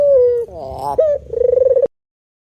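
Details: Spotted dove coo phrase: a falling low note, a rougher wavering note, a clipped coo and a throbbing, pulsed coo, ending abruptly in silence.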